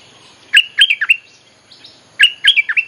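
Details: Bulbul training song used as a lure for wild birds: two bubbly phrases of quick warbled chirps, each with four or five notes, separated by a short pause.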